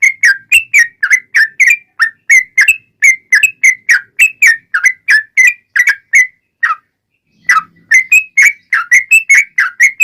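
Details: Long rapid-fire fighting song of a yellow-vented bulbul, used as a lure for other bulbuls. Rapid chattering whistles run without a break for seven seconds, stop after one lone note, then continue in the same way.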